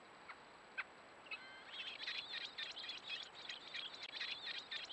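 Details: Three American robin nestlings in a row begging as a parent feeds them insects; after a few isolated clicks, a continuous rapid stream of high, thin, squeaky chirps fills the rest of the clip.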